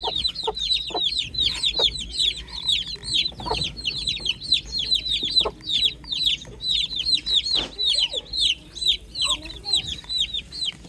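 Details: Chicks on a farm in the morning, peeping nonstop: many high, thin chirps that each slide sharply downward. They overlap from several birds at about two per second over a soft, low background hum.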